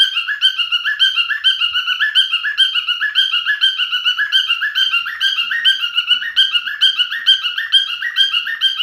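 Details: Male cockatiel pet singing steadily: rhythmic, pulsing whistled phrases, each a quick rising note pair, repeated evenly for the whole stretch.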